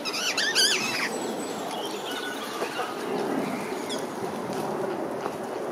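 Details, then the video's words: Parakeets begging for nuts from people's hands outdoors give a quick burst of harsh, wavering squawks in the first second. Soft rustling and wing flutter follow over a noisy outdoor background. "Cheeky Parakeets beg for food - lots of Parakeet sounds and noises"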